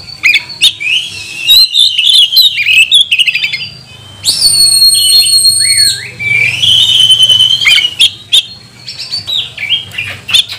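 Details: Magpie-robin song used as a provoking call to make other magpie-robins sing: loud, varied whistled phrases and chatters, with a long bright sustained whistle near the middle, then jerky rising notes and sharp chips.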